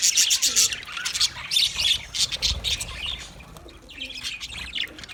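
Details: Budgerigar chatter: rapid harsh squawks and scratchy chirps in fast runs, busiest in the first two seconds, then softer twittering.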